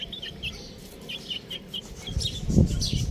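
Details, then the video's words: Chicks give a run of short, high, evenly spaced peeps for about two seconds, then more scattered chirps over low thumping handling noise. "Adorable Young Chicks Sound | Amazing Baby Hen Chirping Sounds"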